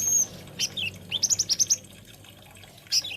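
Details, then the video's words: A thin high whistle from an olive-backed sunbird, then a descending slur and a quick run of five or six bright, high notes, ending with a sharp chirp. "SUARANYA BURUNG KOLIBRI NINJA / KONIN"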